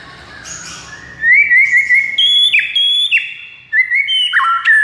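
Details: White-rumped shama, song for turning a silent bird into a strong singer: after a soft start, a trilled whistle runs into bright stepped notes that climb, hold, and drop in repeated slurs.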